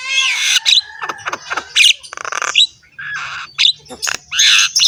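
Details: Rough-toned song of a Javan myna, bobbing its head in display. Loud harsh squawks and grating rattles alternate with brief whistles, some notes long and noisy, with a faint low hum underneath.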